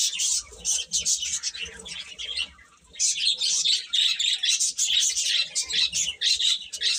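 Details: Chicks chirping, loud shrill high peeps from many birds at once, a short quieter gap near the middle, then dense overlapping chatter again.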